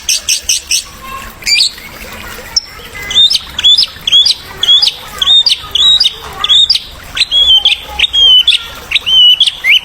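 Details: White-rumped shama song, used as a master recording to stimulate young shamas: a brief burst of high, rapid notes, then bright upslurred whistles repeated roughly twice a second with short gaps, over faint background hiss.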